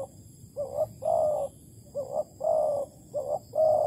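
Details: Spotted dove from Malaysia, used as a bare lure bird for trapping, recorded 11 August 2020: low hooting coos in pairs, a short note followed by a longer, fuller one, repeated three times.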